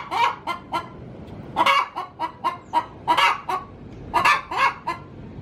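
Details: Laying hen in a coop cackling before an egg: loud, raspy clucks repeated irregularly, several quick stuttered notes then stronger drawn-out squawks, with quieter clucks between.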